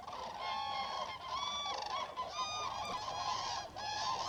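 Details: Common cranes wintering at a French site, calling loudly before daybreak to re-establish contact with family, friends and neighbours; many overlapping rolling, trumpeting calls with bright harmonics, continuous through the clip, a flock chorus.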